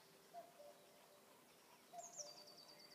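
A common cuckoo gives a soft, falling two-note cu-coo, twice, about a second and a half apart. High, thin chirps from another bird and background hiss are also present.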